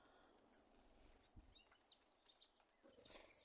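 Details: Thrush (sabiá) with a popcorn-popping noise: three bright, very high, sharp chips, each clearly separated by short pauses in near silence.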